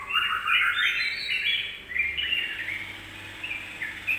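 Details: Lure song of a yellow-vented bulbul meant to make other birds angry quickly: a dense, rising opening warble, then looser chattering notes at about three per second until the end.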